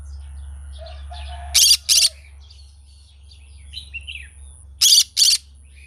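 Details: Green-cheeked conure in the morning: faint chirps and thin whistles lead into a loud doubled rasping screech, more soft twitters follow, then a second harsh pair of screeches, over a low humming background.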